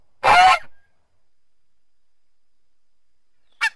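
A goose gives one loud, harsh, nasal honk. A brief fainter squawk follows about three seconds later, with near silence in between.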